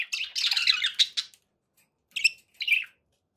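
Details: Pet budgerigars give a burst of scratchy, squeaky warbling, then fall silent before two short chirps follow.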